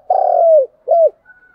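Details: Lure call of a Spotted dove used to stimulate other doves: one long, steady, mellow coo falling at its end, then a shorter curved coo.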